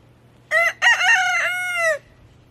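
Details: A rooster crowing once: a short opening note, a brief break, then a long, loud, harmonic-rich cry held for about a second before cutting off sharply, over a faint steady low hum.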